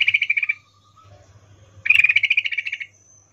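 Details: Sooty-headed bulbul female in breeding condition calling a male, 'ngecuplik' style: two fast, buzzy chattering trills, a short one and then a longer one after a pause, with a faint low hum behind.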